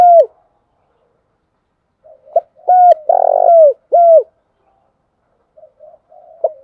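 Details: Decoy spotted dove used to lure wild doves, giving its calling song. A loud phrase of low hooting coos, each one falling at the end, has a rough vibrating note in the middle. Softer coos come before and after.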